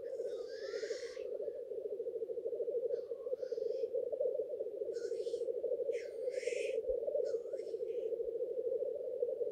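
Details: Lekking black grouse males courting females: a rolling low bubbling carries on without pause while harsh sneezing hisses break out about every two seconds, some with upward-sweeping whistles.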